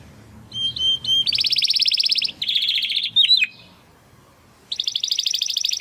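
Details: Belgian canary singing: thin whistled notes leading into a loud fast rolling trill, a lower buzzy trill, a few sharp downslurred notes, a pause, then another rapid trill.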